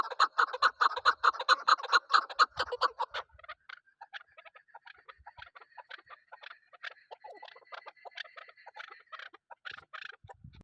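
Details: Female hunting chukar partridge calling: a rapid, regular burst of strong chuk notes for about three seconds, followed by quieter, looser chattering clucks.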